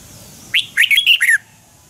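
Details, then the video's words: Morning training song of a red-whiskered bulbul, sung in the twisted double-voice style and used as a lure for teaching caged birds: a single quick phrase of loud, liquid whistled notes that ends in a falling slur. "Luyện chào mào hót sáng 2020 chào mào giọng xoắn kép Quá hay"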